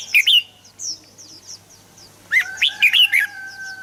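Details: Red-whiskered bulbul singing, a recording meant to excite birds into song. A short burst of bright warbled notes opens, then soft high chirps, then a lively cluster of four or five loud, rolling whistles.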